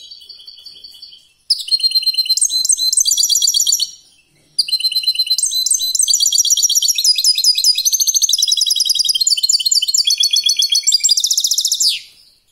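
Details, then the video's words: European goldfinch singing in competition style: a long, rapid, unbroken run of high metallic twittering and buzzy trills, briefly interrupted once, lasting over seven seconds before fading. "chant de Chardonnerêt de concour top"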